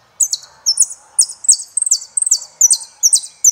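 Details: Quick, high-pitched saffron finch song of clipped, downslurred chirps in pairs and short runs, roughly two or three per second, over a clean, quiet background.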